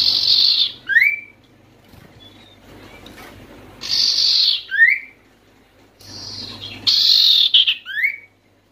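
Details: Oriental white-eye (sirtu) calling to lure other white-eyes into singing: three rasping, hissy high bursts, each followed by quick falling whistled slurs, repeated every few seconds.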